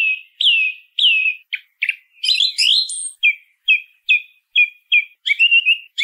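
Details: Singing song thrush with a short whistled motif given twice, a few sharp clipped notes, a dense high scratchy phrase, then a clear whistle repeated five times in even succession before a brief warbled ending.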